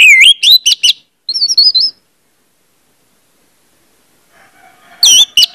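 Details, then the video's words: Orange-headed thrush singing in a lure recording meant to prompt quick, open singing: a rapid burst of sweeping high whistled notes, a short warbled trill, then silence before another loud jumbled burst. "pancingan anis merah bikin cepat ngeplong"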